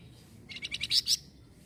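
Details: Small minivet giving a short, high, rapid burst of about six sharp chirping notes over roughly seven-tenths of a second, the last notes loudest, against a quiet background.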